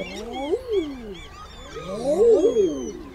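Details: Common eider: two bursts of loud, low crooning calls, each a swooping rise and fall with several birds overlapping, the second burst strongest; faint higher calls of other birds drift above.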